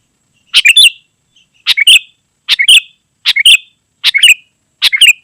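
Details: Sooty-headed bulbul in gacor singing, used to lure wild birds in the forest and as a tutor at home. Six cheerful bubbly phrases, each a stuttered chirp ending in a whistle, repeated roughly every 0.8 seconds.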